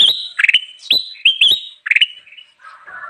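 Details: Bulbul (kutilang emas) delivering rapid song used to lure wild birds: a quick run of loud, sharp upslurred whistles and chatter, fading into softer notes.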